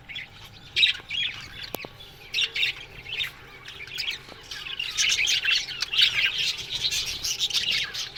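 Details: Morning chirping from a budgerigar colony in an aviary: scattered bright chirps and squawks at first, building into thick overlapping warbled chatter in the second half, with a few soft knocks.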